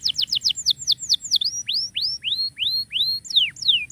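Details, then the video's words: Energetic canary song for training canaries that stopped singing: a fast series of downward-swept notes slowing into long, smooth, rising whistles repeated about once a third of a second, then sharper falling notes. "KENARI GACOR COCOK BUAT MASTERAN KENARI MACET"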